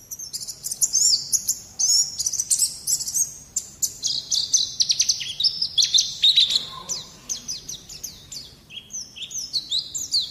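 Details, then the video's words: Young-bird training recording of a white-eye: a long, continuous, very high twittering song of quick slurred notes and buzzy trills, hardly pausing, with a soft low background hum. "Terapi Masteran Terbukti Ampuh Mancing Bunyi Pleci Bakalan"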